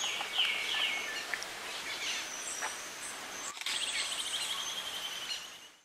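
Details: Cuban grassquit in Viñales, Cuba, in July 2017, giving thin, high chips and short sweeping notes, then a dry buzzy trill, against a faint steady high hiss.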